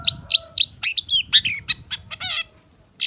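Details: Varied long-tailed shrike song for training caged birds. Three ringing high chips lead into squeaky, twisting notes and a harsh chattering burst, then a brief pause and one last shrill note.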